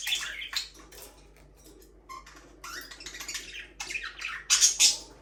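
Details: Budgerigars kept as a breeding pair chatter softly in quick, rasping chirps, a few clear short whistled notes mixed in, building to loud harsh squawks at the end.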